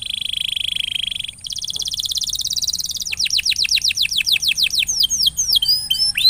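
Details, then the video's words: Energetic canary singing meant to prompt a reluctant canary to sing: steady high buzzy trill, a faster rattling roll, then repeated sharp descending notes and swooping slurred whistles. "paling jitu memancing kenari macet jadi lebih rajin bunyi ( pancingan kenari)"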